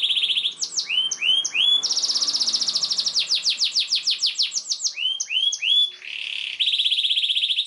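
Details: Emotional chirping canary song, long and nonstop, played as a master lesson for young canaries: looping upslurred chirps, a long rapid trill of sharp notes, then more chirps and a buzzy finish.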